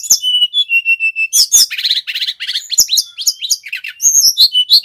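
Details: Bali male brown-chested jungle flycatcher used as a lure and a song tutor: repeated level whistles open, followed by buzzy rolling trills, quick varied chips and rising-falling high whistles in a dense rush.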